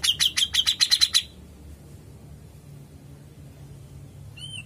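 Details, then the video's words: Grey-cheeked bulbul (cucak jenggot) delivering a brief, fast burst of about eight loud, sharp, high chipping notes in the long ngepik style. A short silence follows, then a faint slurred whistle. "Jenggot gacor mbesett ngepik panjang"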